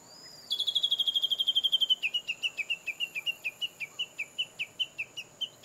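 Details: Japanese bush warbler staying out of sight, giving a high, rapid string of sharp, clipped notes, about four per second, slowing slightly and dropping in pitch after the first rush, steady and regular to the end.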